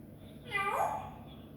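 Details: Pet grey parrot in a talking mood indoors: a single short, harmonic, wavering cry, rising then falling, against quiet room noise.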